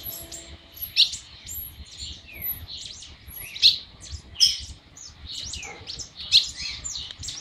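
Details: A monjita just starting to sing gives high, thin chirps and scratchy notes, with sharper peaks every second or two, over a faint low rumble.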